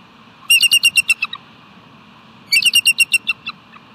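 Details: Bald eagle perched on its nest rock at West End on an afternoon of 17 July 2018, calling out: two bursts of rapid, high, piping notes, about eight to ten quick chitters each that fade toward the end, two seconds apart.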